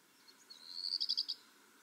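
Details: Black redstart singing: a thin, high whistled note rising into a short, fast series of bright clipped pulses, about one second long, on a quiet background.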